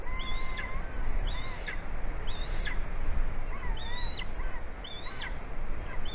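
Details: Latvian golden eagle calling to its mate around 11 AM on 9 February 2020, mating on the right branch; repeated high thin whistles with a lower, wavering second voice answering between them, against rough broadband noise.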